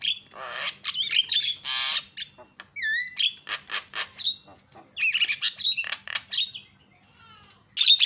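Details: Javan myna calls used to provoke other mynas into calling loudly. A jumble of harsh squawks, raspy bursts and short whistled notes, including a rising, wavering whistle, with brief gaps between phrases.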